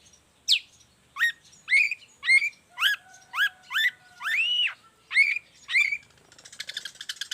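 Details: A long-tailed shrike's song, meant to tutor and stir other shrikes, here as a string of harsh upslurred notes about every half second, including one longer arched note, ending in a fast rattling trill.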